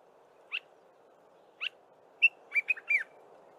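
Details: In the early morning a Dark-capped bulbul repeats its phrase: two brief rising notes about a second apart, a clear whistle, then a rapid run of chattering, fluty notes against faint steady hum.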